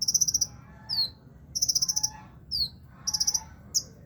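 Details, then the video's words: Kolibri ninja sunbird, caged and set low, sings a steady cycle: a fast high trill of about eight beats, then a sharp downslurred whistle, repeated roughly every one and a half seconds. "burung kolibri ninja ditaro di bawah juga masih gacor"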